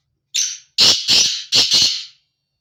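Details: Loud male black francolin breeding call, starting with a brief scratchy note and continuing with two harsh, rasping doubled notes in fast succession, a crisp grating phrase against silence.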